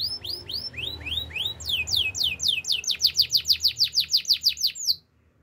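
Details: Canary song of repeated arched whistled notes, slow at first then faster and louder, about four per second, stopping abruptly.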